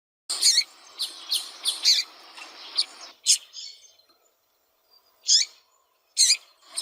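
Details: Female double-collared seedeater calling persistently to stimulate a cold, non-singing male: short, bright, high chirps in quick clusters, then spaced single chirps after a pause.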